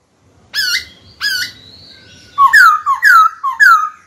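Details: White-cheeked laughingthrush in training, singing to call a rival into a fight: two loud whistled notes rising with a wavering end, then a run of four quick downslurred whistles, in a small room.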